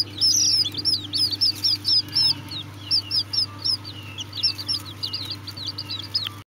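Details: High, thin peeping from Serama chicks, quick slurred chirps tumbling out nearly four per second in uneven bursts over a constant low hum, ending abruptly.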